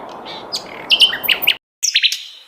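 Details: Varied song of the sikatan londo flycatcher: a run of crisp, high whistled notes in quick succession, a brief silent break, then more bright chirped notes and a thin sustained whistle.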